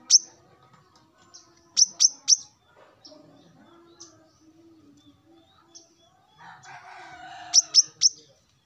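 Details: A morning call of a male plain-throated sunbird to rivals: clusters of two or three sharp high chirps with softer notes between, and a brief lower, rougher sound near the end.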